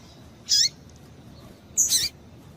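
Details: Two brief, high, slightly buzzy chirps about a second apart from a female double-collared seedeater, a call meant to stir males into singing. Nothing else is heard.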